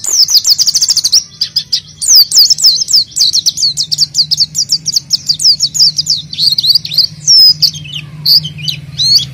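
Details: Oriental white-eye singing as a lure: long, fast trills of high, thin notes and twittering phrases over a steady low background hum.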